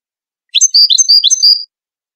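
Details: A single brief phrase from a Moroccan European goldfinch of the Widani style, used for training chicks: about one second of sweet, high, slurred whistles and sharp chirps in quick succession.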